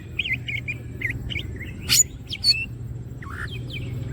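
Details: Greater green leafbird singing vigorously with wings open: short whistled and chirped notes around mid-high pitch, loops and slurs repeated quickly, with a sharp louder burst near the middle and a steady low hum underneath.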